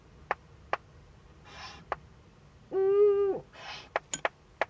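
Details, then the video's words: Owlet's first contact with an adult Eurasian eagle-owl at a nest in northern Rhineland-Palatinate, Germany, 15 May 2013. Single strong harmonic call of about 0.7 seconds, flanked by two hoarse hissing bursts and a few clicks. "Junguhu - erster Kontakt mit Lotte"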